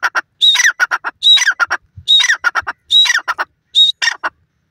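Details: Grey francolin (dakhni teetar) calling loudly: harsh, squawky phrases repeated about once a second, each opening with a shrill whistled note and followed by rapid grating syllables, five phrases in all, with a clean quiet background.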